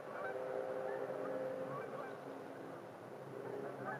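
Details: Geese honk in a dense, overlapping chorus at a park during a winter sunset, calls coming several times a second, over a steady wash of distant traffic and wind.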